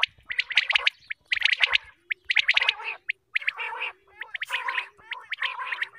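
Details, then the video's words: A group of quail calling together in the morning, used for hunting: rapid, buzzy, chattering bursts of high notes, about one burst per second, overlapping with short gaps between. "quail group calling | batairoon ki awaz | بٹیر کی آواز"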